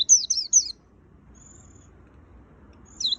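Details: Three quick, high, downslurred chirps from a white-eye singing "gacor full isian". A faint thin whistle follows, then one more sharp falling note at the end.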